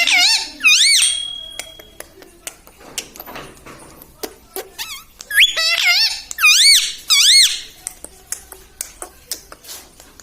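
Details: Pet parrot (mitthu) talking, mimicking words such as mummy, papa and its own name; strongly harmonic, wavering rising-falling syllables in short bursts with clicks and pauses between.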